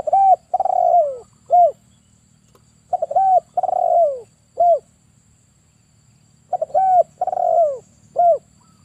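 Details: Male spotted dove, a strong caller kept as a trapping lure, kuk 1 style: three rhythmic phrases, each a clipped double coo, a long falling purr and a short closing coo, over a low hum.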